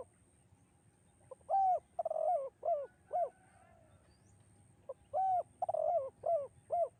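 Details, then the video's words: Spotted dove, called tekukur, singing a melodious two-note 'kuk' style phrase used as a lure for training birds: a short introductory note, a long cooing note, a trilled rolling coo, then two shorter coos, repeated twice with a pause. "bergema suara tekukur kuk 2 dan mengalunkan 2 irama merdu mendayu"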